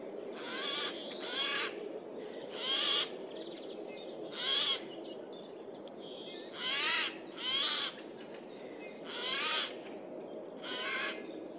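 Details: Loud Eurasian jay in woodland in mid-April 2024, moving between trees; repeated hoarse, tearing screeches, about seven bursts in irregular pairs and singles over a constant background hum.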